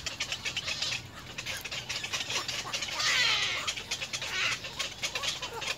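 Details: Little egret chicks at the nest begging their parents for food: dense bursts of harsh, rapid clicking chatter, with one louder drawn-out squawk in the middle and steady low background hum.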